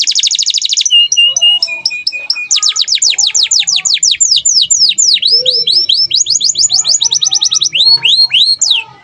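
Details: Canary singing nonstop as tutor song for other birds: rapid, varied high tours, buzzy trills, rows of steep downslurred notes, short flat whistles and looping sweeps, each phrase changing within seconds.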